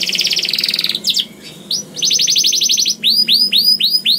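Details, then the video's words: Young canary (kenari paud) singing as a lure for other canaries: rapid trill, a short pause, another rolling trill of sweeping notes, then loud looping upslurred whistles about four per second. "PANCINGAN KENARI PAUD #195 II VOICE OF CANARY"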